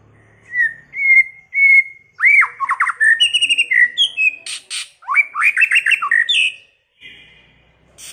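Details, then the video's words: White-rumped shama singing early in the season, a varied many-voiced song: clear whistled notes near the start, then rapid descending slurred phrases, buzzy high trills and bright chattering bursts, with short pauses between phrases. "chòe lửa hót,chòe lửa chuyền mùa đầu"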